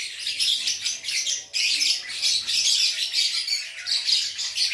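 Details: Gacor lovebird, Aceh: shrill, scratchy chatter in rapid phrases, one brief break near the midpoint, then renewed loud continuous twittering squeaks.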